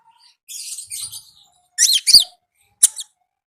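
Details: Konin with "ngalas" wild-style singing: a soft scratchy warble, then two loud buzzy up-and-down slurred phrases and a final sharp high chirp.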